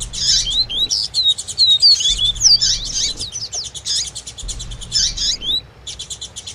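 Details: A male Double-collared Seedeater, kept as a cage bird, sings a fast, high twittering with sweet slurred whistles that runs almost without pause. A female's thin chirps are mixed in, used as a call to excite the male into singing.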